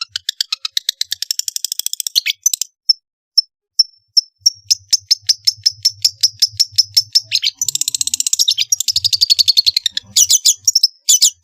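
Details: Long-tailed shrike in full, energetic song with varied mimicked fill-in phrases, used as a lure to prompt reluctant shrikes to sing: fast dry rattling trills of high ticking notes, then a steady run of sharp repeated chips and buzzy bursts.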